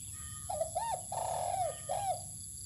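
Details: Spotted dove sunning outdoors in open ground, uttering a four-part coo: two quick soft notes, a long sustained coo that dips at its close, then a final shorter falling coo, with faint low rumble behind.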